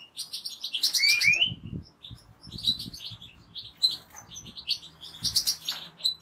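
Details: Rapid, jangling European goldfinch song, with sweet upslurred whistles and dense high twitters delivered in quick runs, plus faint low knocking in the background.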